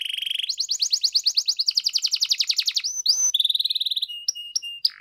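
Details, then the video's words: Canary singing a fast chain of repeated rising notes, a brief harsh rattle, then a rolling trill and short sharp whistles ending abruptly. "SUARA BURUNG KENARI GACOR DOR"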